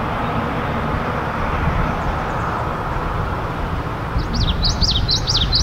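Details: A male common yellowthroat singing in Richmond, BC, on 11 May 2018, giving a quick burst of high, rolling, repeated notes near the end, half-buried under a steady low roar of road traffic.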